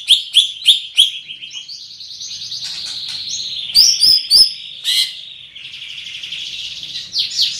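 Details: Greater green leafbird, a big-bodied bird with a loud, penetrating voice, opening with four sharp repeated chirps, then a buzzy, rapidly warbled high phrase broken by sharp clicks and a loud squeaky note.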